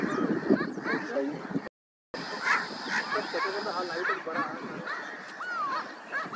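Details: Common starlings at the Vulture Conservation Centre, Jorbeer, Rajasthan, India, in January 2022, in a dense, chattering babble of creaky notes, clicks and short slurred whistles, many birds calling at once, broken by a brief silent gap.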